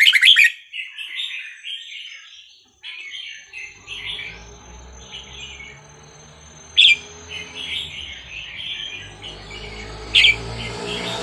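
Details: Red-whiskered bulbul from the wild in Vietnam, song used for training young birds: a loud chirpy burst opening, then a run of short warbled phrases with sharp notes at intervals, over low rumbling background noise.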